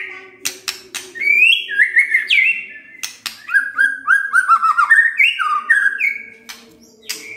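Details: White-rumped shama (murai batu) pancingan song showing off its varied repertoire. Sharp clicks lead into fluid warbled whistles that rise and fall in a fast, continuous stream.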